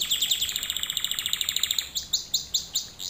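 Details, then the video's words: Canary song recorded as a lesson for canaries: a fast bright trill of repeated notes slowing into a few separate chirped, swooping notes. "Canary Singing - lesson 36"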